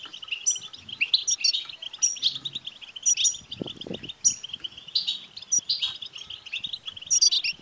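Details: Goldfinch batbata twittering used to get a caged male goldfinch singing. Rapid, unbroken chattering of high, tinkling notes carries on throughout, with louder ringing accents at short intervals and a brief low rumble near the middle.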